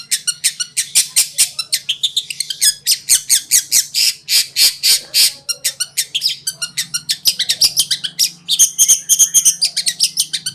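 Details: Long-tailed shrike (cendet) master song for training, in the konslet style: a dense, rapid run of harsh, scratchy high notes and chattering bursts, about three per second, with a low steady hum underneath.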